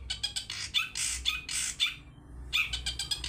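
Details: Long-tailed shrike 'toet toet' lure song meant to draw other birds into singing: loud rasping bursts and sharp clipped notes, a brief pause, then a fresh run of quick harsh notes.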